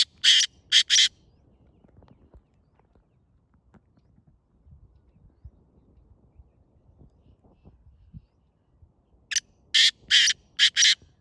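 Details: Grey francolin calling to draw in other partridges: a burst of three harsh rasping notes, a long near-silent gap of about eight seconds, then a second series of five rapid grating notes.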